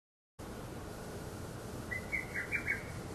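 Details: Lesser cuckoo, which calls both day and night, gives a quick run of about five sharp, whistled notes near the end, over a steady hiss of background noise.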